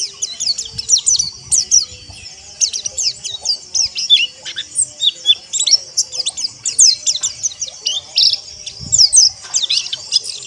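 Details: Ombyokan pleci, or white-eye, song intended to train rough ngeriwik trills and ngalas singing: long unbroken sequence of shrill, fast, downward-sweeping chirps and squeaky notes, very dense throughout.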